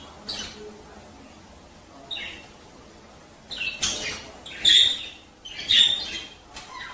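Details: Budgerigar males singing to encourage mating: faint scattered chirps, then louder bursts of squeaky twittering with brief whistled notes in the closing seconds.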